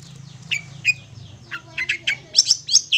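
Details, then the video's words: A long-tailed shrike gives a fast, varied run of sharp, high chirps and short downslurred whistles, about ten notes in three seconds, over a faint low hum; used as a tutor song for hand-fed young shrikes. "Masteran Untuk Anak Burung Cendet Yang Masih Loloh"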